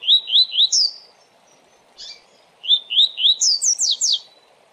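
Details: Coleiro singing the fast Tui Tui song style, used for training, management and pairing: three or four quick rising whistled notes, then a burst of sharp, steeply falling high strokes, repeated twice over a steady faint background hiss.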